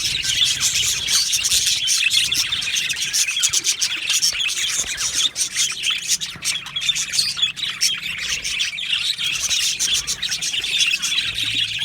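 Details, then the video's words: Aviary colony of Australian budgerigars: continuous busy chatter of many birds, rapid high chirps and scratchy warbles layered into a steady wash, hardly pausing throughout. "Beautiful Budgies chirping sounds"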